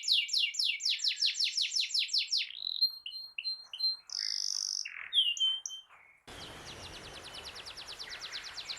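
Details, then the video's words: Singing domestic canary, used to get a silent canary to sing: a quick series of rising sweeps, whistled and buzzy phrases, then a noisier stretch carrying a faint fast trill. "Masteran Suara Burung Kenari Gacor"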